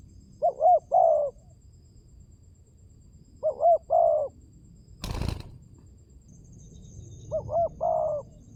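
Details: Spotted dove, played as a lure, gives soft rolling coo phrases of a short doubled note and a longer coo, three phrases spaced a few seconds apart, with one sharp knock between them.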